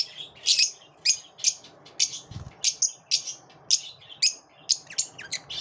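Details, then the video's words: Steady stream of high, shrill lovebird chirps after dawn, about three each second, with a single faint low thump midway. "Love birds after dawn"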